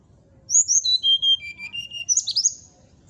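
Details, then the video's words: Brown-chested jungle flycatcher singing as a lure to provoke rivals: sweet whistles descending in even steps, then a burst of rapid, twisting high notes; soft low rumble underneath. "suara pancingan srdc agar lawan cepat emosi gacor,auto langsung cepat respon"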